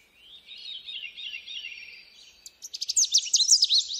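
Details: Canada warbler: soft, wavering high warbling notes for two seconds, then a loud, rapid, emphatic burst of sharp chattering notes.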